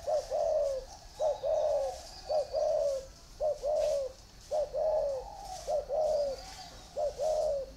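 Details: Cooing from spotted doves held in a bamboo cage and an iron cage. Soft, slightly falling coos come in grouped phrases, a short lead-in note then a sustained hum-like coo, recurring about once a second.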